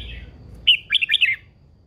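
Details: Red-whiskered bulbul kept as a cage bird, presented as a mature wild-caught female spurring a male to sing fiercely: a single crisp phrase of five or six fast, bouncing whistled chirps.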